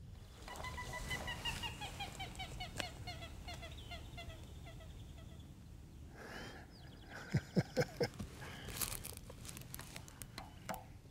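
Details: Moorhens, a male and female among them, chatter to each other in spring in Arizona while walking on lily pads at a house where they are fed: quick runs of short clucking notes, then a few louder, sharper calls over a low outdoor rumble.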